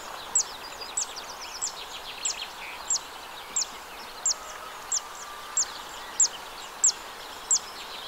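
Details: Recorded 2 June 2023 in the Arzal dam wetland, Morbihan: a zitting cisticola repeats a sharp, high, ticking note about twelve times at regular intervals of roughly 0.6 seconds, while other birds chatter softly beneath.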